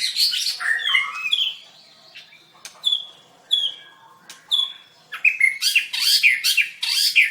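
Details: A contest-winning white-rumped shama sings at a singing contest dated 7/25/16. Bright slurred whistles and rich warbles come first. Sharp isolated notes follow after a pause, then a dense burst of high chattering phrases.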